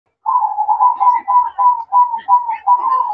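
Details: Zebra dove (perkutut) singing in manggung style at night: a steady run of soft, rolling coos repeated rapidly in a continuous series, each note slightly trilled and mellow, with no other sounds.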